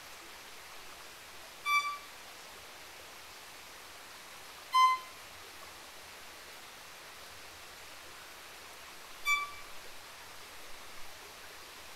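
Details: Three short electronic beeps, spaced a few seconds apart, sound over a steady faint hiss, with no animal voice.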